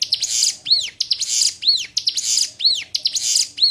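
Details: Sunda warbler (ciblek gunung) song used as a tutor recording for cage birds: high buzzy bursts, each followed by a clear arched whistle, repeating about once per second with no other sounds.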